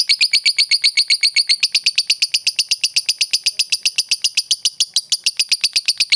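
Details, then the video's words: Lovebird of the fighter type in ngekek chatter, played to make an opponent start chattering: a very fast, regular run of sharp, high, rasping notes, about four a second, loud and unbroken. "pancingan lovebird fighter paling efektif bikin musuh langsung ikutan ngekek"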